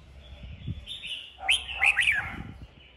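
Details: Red-whiskered bulbul singing in a duel: thin sustained warble, then a loud run of three or four bright, looping whistled notes in quick succession, with faint low thumps beneath.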